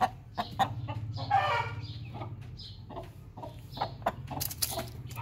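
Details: After laying an egg, a hen gives irregular clucks and a rasping squawk, set against a constant low hum and some faint higher chirps.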